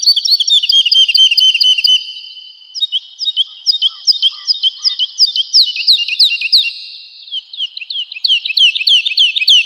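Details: Woodlark singing energetically on a training recording for home and contest cage birds: a rapid run of repeated high slurred notes, then louder downslurred notes in a continuous sweet series of about ten seconds with no other sounds.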